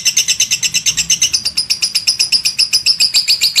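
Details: Lovebird ngekek, the long chatter, as tutor recording: a steady rapid series of bright, high chirped notes, about four per second, with no pause.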